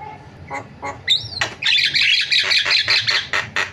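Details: Javan myna giving a lively varied song: a few harsh notes and a rising whistle, then a dense run of scratchy, buzzy bursts repeated rapidly, with faint low background hum.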